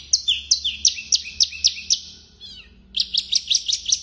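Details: Blorok Javan bush lark singing hard: a rhythmic series of sharp downslurred notes, roughly three per second, a short pause with a soft falling note, then a quicker matching series.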